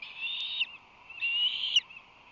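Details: Fledgling ospreys, about two months old, at their San Francisco Bay nest on 8 July 2020: two long, high, strained whistles, each ending in a sharp upward flick, with steady low background noise.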